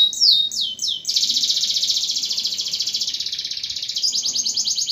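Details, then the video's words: Canary singing, used to coax silent canaries back into song: a few quick high swooping notes open into a dense, buzzy, very high rolling trill held for several seconds before shifting to a slightly different trill. "KENARI GACOR AMPUH PANCING KENARI MACET BUNYI LAGI"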